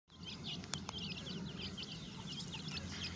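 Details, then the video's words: Captive grey francolin chicks in breeding season, healthy and active, give a busy chorus of thin, high peeps, several each second and overlapping, over a steady low rumble of background noise. "teetar ke bache ki awaz"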